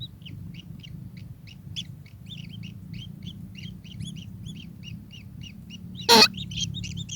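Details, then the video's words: Kingfisher calling: a steady series of short, sharp high notes, some in quick pairs, over a low rumbling background hum, with one loud sudden click or knock near the end. "burung tengkek"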